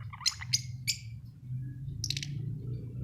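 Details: Australian budgie chirping: three quick bright chirps in a row, then a pause and a tight burst of rapid high notes, with a constant low hum behind.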